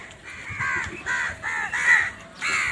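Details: Morning crow searching for food gives a run of five hoarse, nasal caws, each about a third of a second long, evenly spaced with short gaps.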